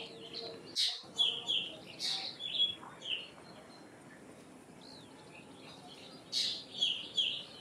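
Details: Common myna giving a loud harsh note, then a string of whistled and falling notes and one upward-arching note. After a pause comes another rasping burst with whistles.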